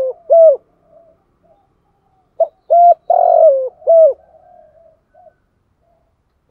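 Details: Spotted dove decoy bird giving a lure call in the thúc gù style, used to stir up wild doves: hooked, rising-then-falling coos in a quick run of three or four, then a softer throaty murmur and a pause.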